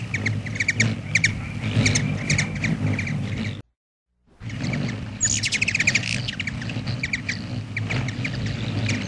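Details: Black-chinned hummingbird at a feeder, giving rapid dry chipping notes in quick bursts with a brief high rising squeal, over a steady low rumble with a short silent gap midway.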